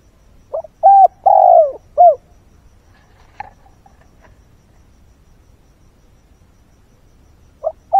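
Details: Spotted dove kept as a lure bird, calling at first light to attract wild doves: one full phrase of four coos with the long falling middle note, a quiet pause with faint clicks, then a new phrase begins.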